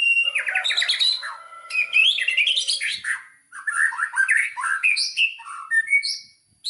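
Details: White-rumped shama singing as a lure meant to stir other shamas into full song; a loud, busy medley of harsh chatters, slurred whistles and trilled notes, mixed low and high phrases with short gaps between bursts.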